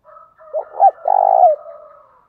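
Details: Spotted dove giving a lure call for trapping wild doves: soft opening coo, two quick swelling notes, then a loud, buzzy, sustained coo that fades into a quiet trailing tone, very close and clear.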